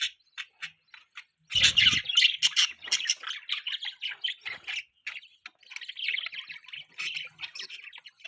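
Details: Budgerigars, pet parakeets, chattering in rapid scratchy chirps and warbled squawks, sparse notes at first, then a dense, busy run of overlapping chatter, with a brief low thump early on.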